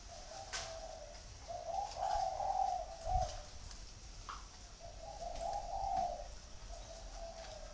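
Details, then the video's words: Spotted dove giving the cooing style known locally as "gù thổ"; soft, hollow coo phrases come in two pairs, each a short note followed by a longer throaty one, against a hissy background. "clip 55 gù thổ"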